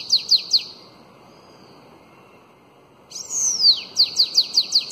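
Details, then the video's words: Elongated Belgian-style bananaquit song for teaching young birds: three sharp high notes, a pause, then a long arched whistle dropping steeply, followed by a rapid, even series of short descending chips. "SIBITE CANTO BELGA ALONGADO Para ENCARTE De FILHOTES de CAMBACICA"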